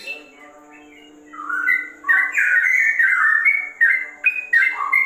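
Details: Sooty-headed bulbul (trocok, trucukan) in ropel song style, likened to a straw-headed bulbul: after a quiet first second, rich fluting notes break out, rising and falling in quick slurred phrases, with a steady low hum underneath.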